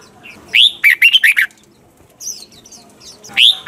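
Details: Red-whiskered bulbul, mature wild-style double-note song used to train caged birds; a rising whistled note, then four quick liquid warbles, faint high chirps, and another rising note starting at the end.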